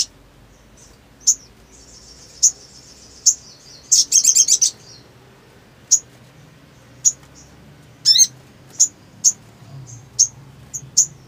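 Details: Black sunbird, sung to stir silent birds into singing: isolated piercing high chips spaced a second or so apart, a brief buzzy rattle burst in the middle, and a sharp descending squeak near the end.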